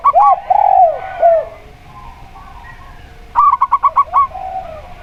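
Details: A local zebra dove and a spotted dove calling in steady doubles: arching low coos open the passage, and after a quiet gap a rapid burst of about seven clipped, bright notes follows.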